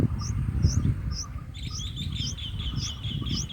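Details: Baby bulbuls in the nest, day four, being fed: rapid, uneven high chirps with thin, sharper notes above them, over a low rumble.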